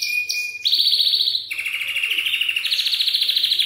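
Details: Belgian canary song used to get young canaries singing: continuous rapid rolling trills, with pitch changing between phrases and notes pulsing several times a second.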